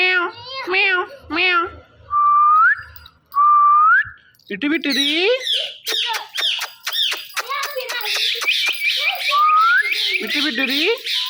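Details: A talking ringneck parakeet in a high, nasal voice gives short phrases, long rising whistles, then a busy run of chattered words and squeaky notes; talk around it includes "meow" and "me too".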